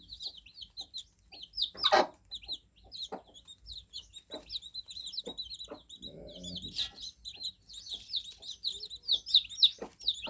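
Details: Young fluffy chicks just out of the egg peep constantly, thin high notes crowding together. Clicks, a loud knock early on and a low rustling scrape around six seconds are also heard.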